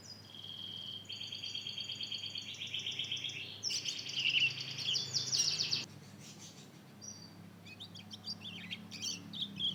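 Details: Two-month-old hybrid of Mozambique canary and canary practising its first song: sustained high trills and buzzy rattles, then a brief pause and scattered sharp notes, over a soft low background hum.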